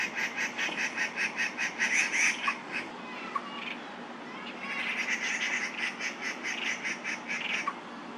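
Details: Territorial dispute between two male Crested Goshawks, Daan Forest Park, Taipei, 30 September 2022: two bursts of rapid, strident, repeated kek-kek notes separated by a quieter pause, with faint insect hum beneath.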